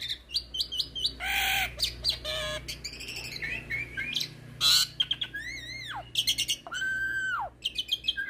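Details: Hybrid starling in lively full song, used as a tutor recording for magpie-robins and kacer birds; harsh scratchy bursts mix with buzzy rattles and clear arching whistles that rise then drop. A low steady hum runs underneath.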